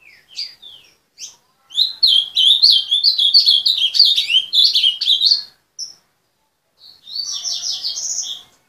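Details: Kept azulão with a named owner sings a long, rapid warbled phrase of up-and-down whistled notes lasting about four seconds, framed by scattered single chirps and followed by a shorter, denser burst.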